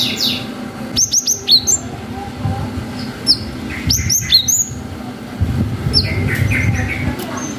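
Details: Singing cinereous tit as a lure for young birds: clusters of sharp, rapidly falling whistles repeated every couple of seconds, some softer twitters, and a low rumbling background.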